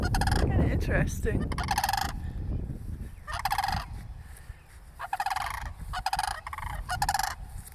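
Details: Cranes by a church, with a person approaching, call in several rapid, pulsed rattles, some closely spaced, against loud low rumbling noise at the start.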